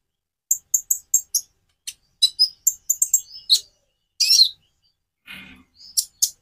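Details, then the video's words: Konin (Van Hasselt's sunbird) singing a varied song: a brisk run of high, sharp, evenly spaced chips, then a louder buzzy trill and a few scattered high notes with a soft low rustle. "Variasi kicau burung Konin"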